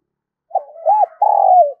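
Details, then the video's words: Spotted dove decoy calling wild doves, giving a soft lead-in, an arched coo and a long throbbing coo that falls away at the end. "Tiếng Chim Cu Mồi gáy Gọi Bổi"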